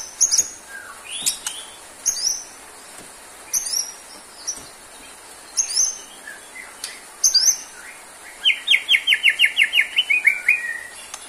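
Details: Singing white-rumped shama, murai batu, song used as therapy for birds lacking stamina: sharp high chips and whistled slurs, then a fast rattling series of about a dozen rising notes near the end.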